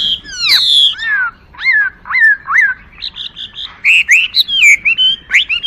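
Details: Chinese hwamei song beginning with sweeping slurred whistles, then a lively jumble of short rising and falling notes and chirps.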